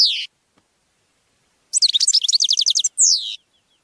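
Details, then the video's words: European goldfinch training song, a falling buzzy note, silence, then a quick rattling series of about a dozen notes and another descending buzz. "Canto de jilguero para educar /Goldfinch singing /Chant du Chardonnet Élegant"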